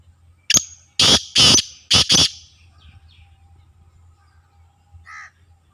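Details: Black francolin (kala tetar) of Sindhi lineage calling with loud, harsh, grating notes: four rasping bursts packed into under two seconds, then quiet, with one faint short note near the end and a low background hum.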